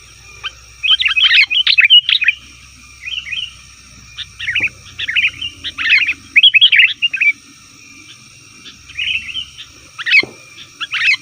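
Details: Busy sooty-headed bulbul calls used for luring wild birds: irregular bursts of quick, slurred, bubbling notes, alternating with softer short phrases and silent pauses, over a faint low hum.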